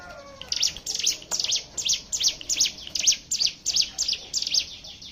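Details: Hill prinia song played as a lure to set other birds singing: a fast run of high, sharp chirps, about three per second, each a quick down-and-up sweep, steady and insistent, with faint lower background notes.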